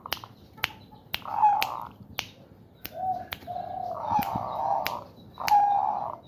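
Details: Caged male zebra dove in breeding condition, in a bamboo cage with a woven dome, cooing while stroked by hand: short low hollow coos, some rolling, between sharp finger-snap clicks.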